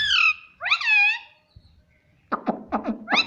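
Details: Pet talking parrot: two drawn-out nasal harmonic calls, a brief lull with faint low rumble, then a burst of quick clucking syllables ending in a rising squeak.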